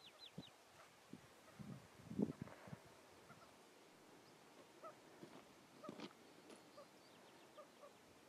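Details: A White-tailed Ptarmigan with chicks at Rocky Mountain National Park in July 2016 gives soft, low clucks in irregular short bursts, with faint thin peeps at the start and a quiet outdoor background.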